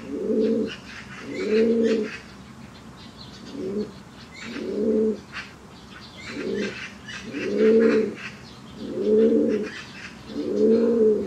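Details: Repeated low, rolling coos from a white fancy pigeon, eight husky phrases of varying length over about eleven seconds, with soft chirping and light rustling between them.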